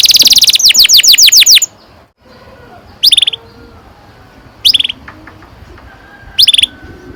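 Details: Canary rolling song as a lure for young birds: a loud rapid trill of sweeping notes lasting over a second, followed after silence by short bursts of chirping notes about every one and a half seconds.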